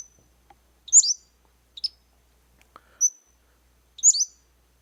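A Pacific-slope Flycatcher sings very high, sharp, slurred notes about once a second, with a thin rising whistle among them; the background is otherwise quiet.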